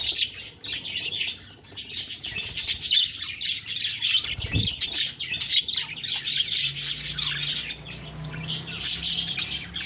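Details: Budgies chirping and chattering in rapid, scratchy, high-pitched runs, one short thud near the middle, and a faint low hum under the later part of the chatter.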